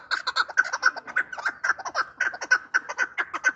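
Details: Chukar partridge giving a short burst of uneven clucking notes, some doubled, rapid and chattering, in a call presented for hunting.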